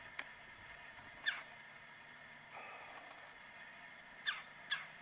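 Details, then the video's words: Woodpecker calling from a tree about 45 yards away on a cold winter morning, mid-January, about 9 am, -9°F: a faint first note, then a loud sharp falling call, a pause, and a close pair of similar calls. "Woodpecker Calling On a Cold Winter Morning"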